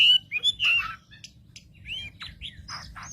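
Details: Wambi lure song for provoking rival wambi: a few loud clear whistled notes opening, then softer scattered chirps and short upward sweeps, with a low hum throughout.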